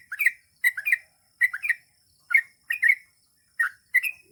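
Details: Sooty-headed bulbul singing in the vigorous gacor style with long ropel phrases; bright chirpy two- and three-note bursts, slurred up and down, repeated about every half second with short silent gaps.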